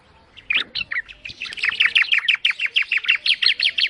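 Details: Bar-winged prinia song: a fast, steady rattle of repeated chirped notes, about three per second, building in loudness after a few scattered opening notes.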